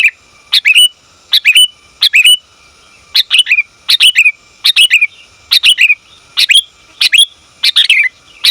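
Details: Calling female sooty-headed bulbul summoning the male, offered for bird training and trapping; around eleven brisk chattering bursts in eight seconds, slightly irregular spacing, each ending in a short downward twitter, no other sounds.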